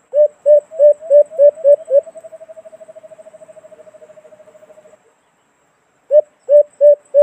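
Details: White-eared brown dove (alimokon) call from the Philippines, used as a sound lure for cage-trap hunting: seven loud, low hollow hoots in quick succession, then a fast, soft, even run of notes lasting about three seconds, a pause, and four more hoots.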